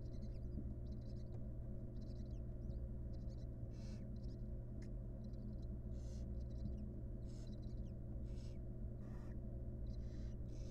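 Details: Wild barn owls in a research-monitored nest box, the mother grooming her babies; many overlapping wheezy hisses, some faint and some stronger, repeated irregularly, plus occasional clicks and a constant low hum.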